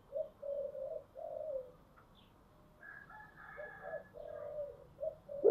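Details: Spotted dove song of the 'giọng thổ' style, a series of low, mellow coos, some short and some drawn out, with higher chattering calls of other birds in the middle and faint hiss.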